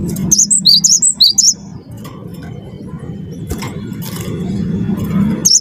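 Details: Singing cinereous tit, wingko type, heard as a prompt for other birds to sing: a rapid one-second string of shrill two-tone whistles, then mostly a low background drone with a single note at the end.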